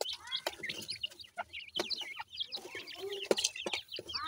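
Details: Feeding partridge chicks, grey francolin, chattering in high, thin, slurred peeps that overlap one another, mixed with sharp pecking clicks and a few lower chirps.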